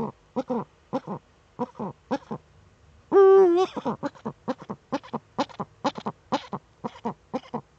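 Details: Female Eurasian eagle-owl courting in the nest niche, filmed by a nest webcam in northern Rhineland-Palatinate, Germany, on 10 May 2013, the pair still in breeding mood: a rapid series of short, stuttering harmonic notes broken by one drawn-out, level, tonal call.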